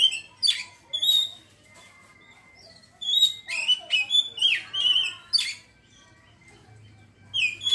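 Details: Oriental magpie-robin ngeriwik: rapid bursts of whistled and buzzy notes repeated about twice a second, separated by short pauses, with a faint steady tone behind.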